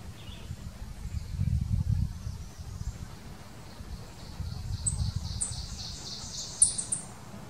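An Ovenbird sings a series of high, ringing two-note phrases that grow louder toward the end, over a steady low rumble of wind or distant traffic.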